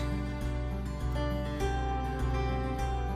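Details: Soft, tender instrumental music with steady low bass notes and sustained chords plays throughout, with no animal sounds.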